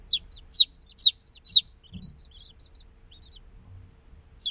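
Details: Day-old chickens in an incubator: loud, sharp, descending peeps about every half second, then a run of softer short chirps, and one more loud peep at the end.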